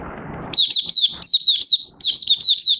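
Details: Oriental white-eye singing in a cage with the cover opened, 25 August 2022: a continuous stream of rapid, high, zigzagging whistles in three linked phrases, after a moment of low background noise.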